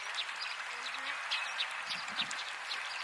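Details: Russet Sparrows (Passer cinnamomeus rutilans) at Shirakawago, Japan, in April 2014 give a busy run of short, high chirps, several a second and uneven in pace, over a steady background hiss.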